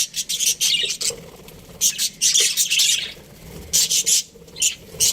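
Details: Australian budgerigars, a breeding pair, giving bursts of harsh, buzzy high chirps in short clustered phrases separated by brief pauses.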